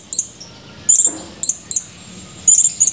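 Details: Male blue-crowned hanging parrot recorded 17 July 2020, chirping actively: a quick run of about seven shrill, high-pitched chirp bursts in three seconds, some doubled or trilled, against a quiet background.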